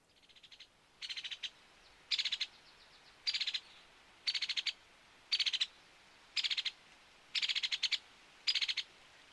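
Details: White-headed Woodpecker (Dryobates albolarvatus) at Bluff Lake, Big Bear Lake, in early June, giving its yammering call: short, sharp chattering bursts of rapid high notes, about one per second, eight in all, against a quiet background.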